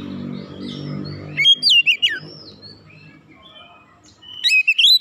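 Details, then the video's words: Oriental magpie-robin singing, described as heated up and in full song with beak open: loud whistled phrases sweeping between rising and falling notes in two bursts, separated by a quieter gap with low background hum. "KACER LAIN CEPAT TERKOMPORI MEMANAS GACOR BUKA PARUH BONGKAR ISIAN"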